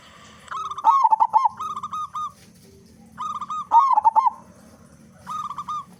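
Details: Local zebra dove, loud-voiced and singing actively, recorded as a lure to make other doves sing. Three cooing phrases: soft level notes lead into a louder burst of rapid, quavering, rolling coos, repeated about every two seconds.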